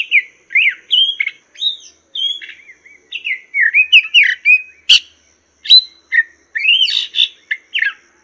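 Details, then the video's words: Chinese hwamei singing a rich, fast run of slurred whistles and warbled phrases, high and varied, broken once by a sharp click; used as a tutor song for training songbirds. "Masteran Burung Poksay Mandarin"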